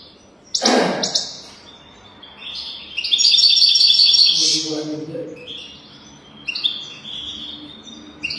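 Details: European goldfinch song played as a tutor recording for teaching young goldfinches to sing: bursts of bright, high twittering with a dense buzzy trill in the middle, separated by pauses, with a brief human voice near the start.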